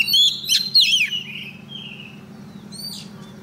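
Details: Female Oriental magpie-robin used as a decoy, calling a male: a loud opening of bright, down-curving whistled notes, then a long thin fading whistle and a faint soft note, above a low hum.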